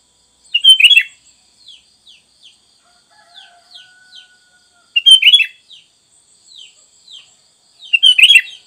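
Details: Sooty-headed bulbul used as a training recording for caged birds: three loud bubbly whistled phrases about every four seconds, with soft single notes between them.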